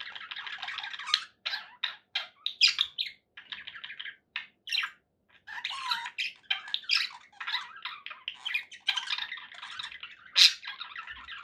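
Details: Pet budgerigars chatter and warble steadily, buzzy rattling phrases and sharp chirps alternating with a few short gaps, one loud squawk near the end.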